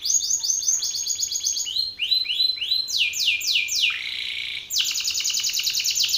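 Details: Belgian canary male singing forcefully at another male: several fast trilled tours, some choppy and some of broad, rolling sweeps, a brief buzzy passage, and a dense, rapid trill at the end.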